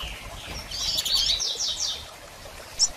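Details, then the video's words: Female double-collared seedeater calling, used to stimulate a male to start singing after moult; thin high chirps and a burst of rapid notes mid-clip, with a sharp chip near the end. "Fêmea de Coleiro Chamando e Piando Muito - Ótimo Para Estimular Seu Coleiro a Abrir Canto Pós Muda!!"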